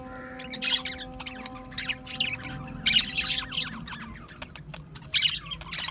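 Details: Budgerigars from Australia warble in rough, chattering phrases with sharper squeaky peaks every couple of seconds, over a soft steady drone.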